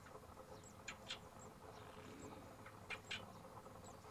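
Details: Squacco heron stalking prey in rice paddy fields at Albufera Natural Park, Valencia, Spain, giving two pairs of short, harsh, rasping notes about two seconds apart; faint high thin notes from other birds and a steady background hiss.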